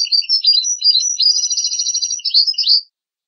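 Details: European goldfinch song meant for tutoring goldfinch and hybrid chicks: a continuous rapid run of high tinkling twitters, liquid trills and buzzy notes for about three seconds before stopping, with no background noise.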